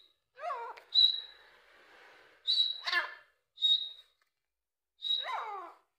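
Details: Grey francolin, known locally as dakni teetar: a loud, clear, sharply pitched whistled note, then a harsh falling note rich in overtones. The pair repeats about every two seconds over a quiet background.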